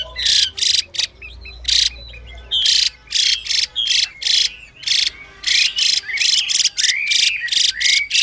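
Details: Harsh buzzy notes from a female Chinese hwamei, calling to stimulate a male, answered by clear whistled slurs rising and falling among the rasps, which grow denser toward the end.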